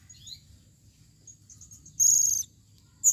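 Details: Female blue-crowned hanging parrot calling, 2021: faint thin high notes lead into one loud, sustained, shrill squeal lasting nearly half a second, then a final sharp squeak.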